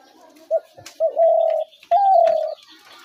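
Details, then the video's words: Spotted dove cooing, a sound used to lure doves into traps: two short clipped notes, then two long, low, even coos close together, with light background hiss. "ঘুঘু পাখির ডাক/Dove bird calls/gugu pakir dak/ dove trap sounds"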